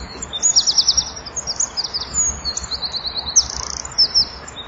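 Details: At evening twilight in January, a Eurasian wren delivers a vigorous song beside a nest-box camera, wings flapping: rapid high trills and buzzy rattles in quick bursts, separated by brief gaps, with faint low background hum.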